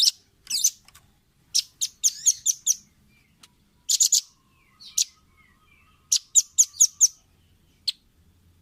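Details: Velvet-fronted nuthatch recorded for teaching caged birds: short bursts of sharp, high chips in quick groups, separated by brief silences, with a faint lower whistle between them.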